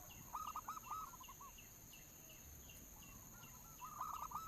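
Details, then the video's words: Lure recording of local zebra dove song: quick runs of clipped, bubbly coos, one burst early and another near the end, with faint chirps higher up and a constant thin electronic tone behind. "suara pancingan perkutut lokal paling manjur dijamin langsung gacor"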